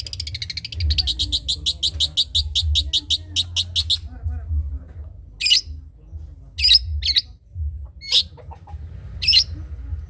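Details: Cendet trotol song of a long-tailed shrike, used as tutor material for other songbirds: a rapid rattling series of high clipped notes for three seconds, then spaced harsh squawky notes, with constant low background hum.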